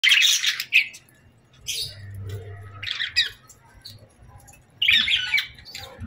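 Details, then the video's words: Small bird indoors giving harsh, scratchy squawks in short bursts at the start, near three seconds and near five seconds, separated by quiet gaps. "Bird Chirping Sounds"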